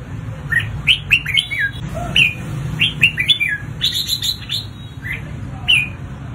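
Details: Red-whiskered bulbul in heated fighting song meant to train other birds: rapid runs of loud whistled, warbling notes, some sliding downward, repeated in quick phrases with brief pauses, over a constant low hum.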